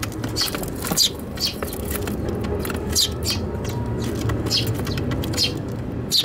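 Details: Eurasian tree sparrows in a fight inside a box on a balcony, Tanabata 2021: loud bright chirps in irregular bursts against a dense noisy background.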